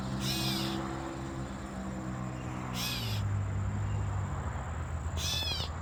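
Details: Catbird calling in fig trees: three harsh, wailing, cat-like calls with rich harmonics, each about half a second long and spaced roughly two and a half seconds apart, over steady low rumbling background noise.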